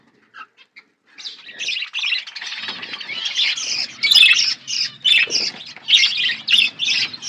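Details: Outdoor aviary budgerigars: after a few soft isolated chirps, a group breaks into dense, scratchy warbling chatter with louder squawky bursts roughly once a second.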